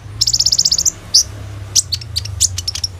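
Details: Sunbird song used as a lure for young sunbirds: a rapid, even run of high chips lasting under a second, then scattered sharp piercing notes.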